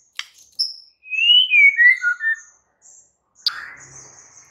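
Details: White-rumped shama song with a clear whistled phrase of slurred notes falling from high to lower pitch, then a sharp high click and a buzzy trailing note.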